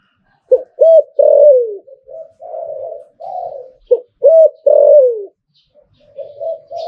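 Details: Zebra dove delivering its Thai 'Liu Tan' style song: short hooked staccato notes followed by longer rolling coos that slide downward, then softer trailing coos, all in a quiet setting.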